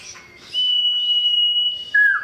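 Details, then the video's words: Male common iora calling a female: a long, pure, level whistle held for well over a second, then a short drop to a lower, fuller whistled note, clear against a quiet background. "Cipoh Jantan Gacor Panggil Betina"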